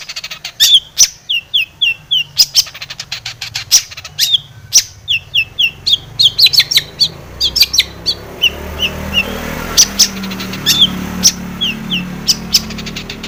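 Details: Long-tailed shrike in full varied song, played as a lure to provoke singing: fast sharp chips and ticks interspersed with downslurred whistles and rasps, continuous for over ten seconds with low background noise.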